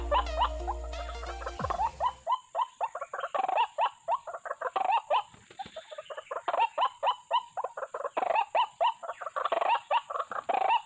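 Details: White-breasted waterhen call played as a lure for bird trapping: after a brief low hum, a long run of rough, nasal notes repeated about four times a second, steady and insistent.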